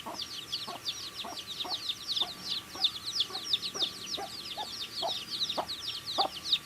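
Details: Cute baby chicks feeding, a dense chorus of high, quick falling chirps from many birds, accompanied by regular light pecking taps.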